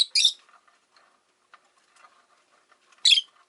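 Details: A harsh chirp opens and another closes this stretch from caged rosy-faced lovebirds, five in a window-side cage, with faint low rustling and clutter in between.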